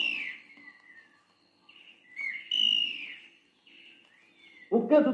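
An antbird gives clear whistled cries, each sliding downward, in a few loose phrases; a man's voice breaks in at the end.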